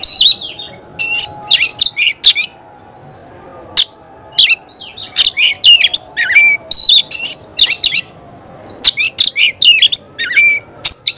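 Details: Oriental magpie-robin in prolific song meant to provoke other magpie-robins, pouring out clusters of sharp chirps, harsh notes and occasional clear upslurred whistles with short pauses between clusters.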